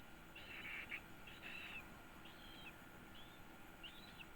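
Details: One-week-old yellow-vented bulbul chick being fed, giving a series of five short, harsh, buzzy calls about a second apart, the first ones loudest and the later ones thinner, over a steady background hum.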